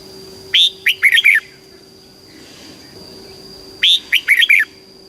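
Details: Red-whiskered bulbul, a caged Thai bird, giving southern master-style song meant to excite and train other birds. Two short, bright phrases of five rapid whistled notes sit about three seconds apart over a steady electrical whine.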